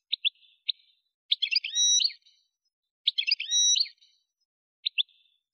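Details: An Algerian goldfinch in the Souk Ahras region, Kef El Hammam, Algeria, gives paired sharp chirps and two short twittering bursts with a drawn-out whistled note, separated by pauses.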